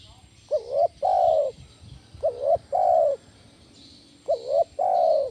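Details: Spotted dove 'kuk 1' lure call for training other doves, in a big voice: three hollow two-note coo phrases, a short quavering note followed by a longer falling coo, about two seconds apart, with soft high background hiss.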